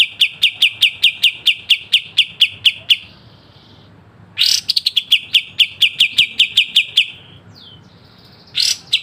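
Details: Sharp-phrased pied triller song for tutoring cage birds: long runs of rapid, even, high chipping notes broken by short pauses and sudden harsh rasping bursts that lead into fresh trills.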